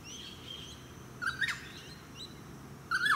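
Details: Noisy friarbird calling from a eucalyptus in a suburban park, Sunshine Coast, Queensland, in July 2017. Two separate bursts of harsh, nasal, throaty notes, the second a rough rising-then-falling squawk, with faint chirps from other birds and distant suburban hum.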